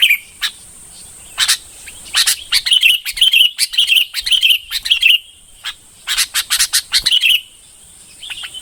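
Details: Singing red-whiskered bulbul, bông type: scattered sharp chirps leading into a run of liquid warbled notes, a pause, then another quick burst of bright phrases.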